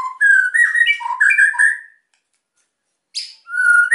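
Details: White-rumped shama song meant to stir silent birds to sing, a rapid run of clear whistles and slurred notes for two seconds, silence, then a brief buzzy burst and a further whistle.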